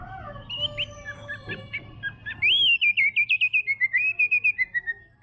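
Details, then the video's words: White-rumped shama, a spotted 'trotol' murai batu, singing: a few scattered whistled notes, then a loud rhythmic run of about fifteen quick, bright, wavering whistles that slowly drop in pitch. "MURAI BATU TROTOL GACOR! WHITE RUMP SHAMA BIRD CHRIPING"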